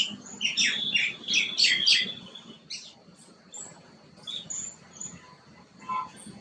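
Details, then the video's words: Green bee-eater giving quick high chirps clustered in the first two seconds, then scattered thin, sharp notes fading into quiet, with a steady faint high tone running through. "Green Bee Eater"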